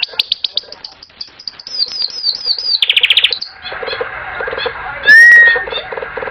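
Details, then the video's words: Canary singing, a small bird with fast trills and rapid repeated chirps, a sweeping series of rising notes, then a burst of buzzy notes and a clear slurred whistle near the end. "smallest bird canary surely awaz /beautifull sound of canary"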